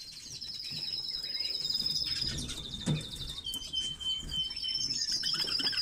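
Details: Red-billed leiothrix song: rapid trilled notes run into long, high, clear whistled phrases, with a steady higher whistle near the end and some soft background rustling.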